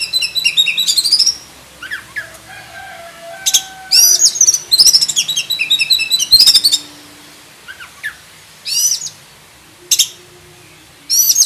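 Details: Oriental magpie-robin, black-breasted form, delivering a 'full isian' master song: dense runs of high, rapid chattering and sweeping notes, broken by short pauses and a few lower whistled slurs.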